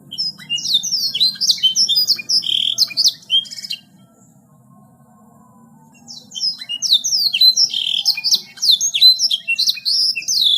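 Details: A gacor canary pours out dense, rapid phrases of high, bright chirps and trills. The song breaks off for about two seconds of quiet, then resumes just as fast over a faint low hum.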